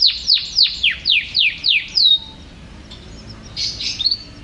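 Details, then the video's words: Series of about eight loud downslurred whistles repeated roughly every quarter second, ending on a level note, then softer chirps; a champion canary singing. "Burung Kenari Juara Gacor"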